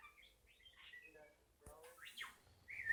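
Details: Captive pet bird copying R2-D2 droid sounds, a quick series of bright whistled sweeps and chirps, some sharply rising, ending in a louder high squeal.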